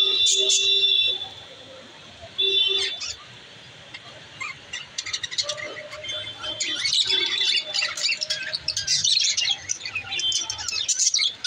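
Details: Budgerigars in an active group, singing: dense high chirps and warbled twitters with sharp squawks, loud at the start, a quieter stretch, then a steady busy chatter.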